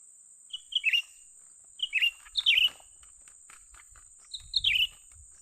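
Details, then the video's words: Lured young bulbul calling in quick succession, clustered chirpy phrases of rapid rising and falling notes, with faint low thumps and a continuous high insect-like drone. "memikat burung cucak ranting muda mantap"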